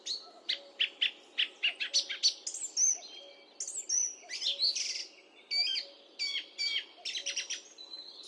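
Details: Song thrush song, recorded with a high definition microphone: rapid sharp repeated notes at the start, then varied whistled and chattering phrases in quick bursts, with a faint steady hum.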